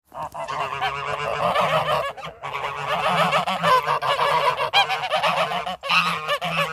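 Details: Several geese honking loudly and almost without pause, a dense chorus of harsh, nasal calls overlapping one another, with only brief gaps near the middle and end.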